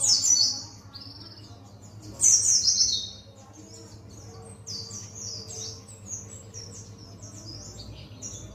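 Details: Buxton's white-eye, a bird learning wild songs, gives high rapid twittering notes, a loud burst early then a long run of soft repeated chirps over constant low background hum.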